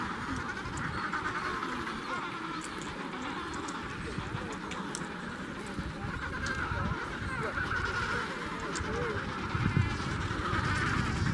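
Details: Breeding colony of Adélie penguins at Tay Head in Antarctica, dense brassy honks and squawks overlapping continuously from countless birds, set against constant low-pitched wind roar.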